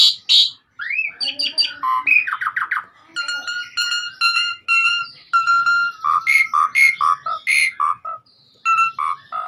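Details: Asian pied starling in lively 'gacor' song from a master recording: a rising whistle, chattering phrases, a long run of nasal overtone-rich notes, then quick whistled and harsh notes.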